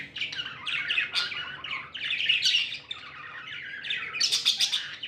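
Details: Happy budgerigars warble and chirp nonstop, scratchy twittering phrases running together, louder bursts near the start and end.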